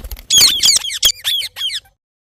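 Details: Morning calls of a rose-ringed parakeet (ringneck parrot): a quick series of five or six sharp, screechy squawks within about a second and a half, then silence.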